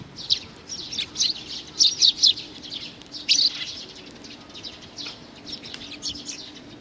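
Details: Young sparrow in June 2019 uttering clusters of high chirps, loudest in the first half, then softer, scattered notes.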